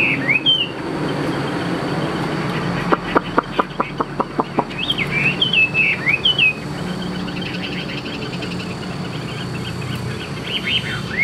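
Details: Tame caged hwamei singing: a few sliding whistled notes near the start and end, with a quick run of sharp clicking taps in the middle and a steady background hum.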